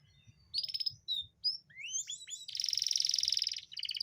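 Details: Canary singing to stimulate a hard-to-breed female into mating readiness: quick rising chips, then a long dense rattling trill and further clipped trilled phrases, with a faint low hum beneath.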